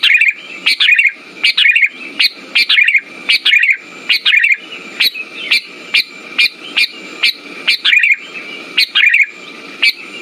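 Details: Lure recording of a sooty-headed bulbul, meant to get silent birds singing: quick chirpy phrases in rapid succession, sharp rising notes followed by warbled twists, each phrase carrying a low gritty rasp beneath it.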